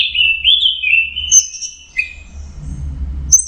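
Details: Song of an orange-headed thrush (anis merah) in 'teler' style, opening with a long wavering whistle at mid-high pitch, followed by a brief high note and a falling slur, with low rumbling noise behind.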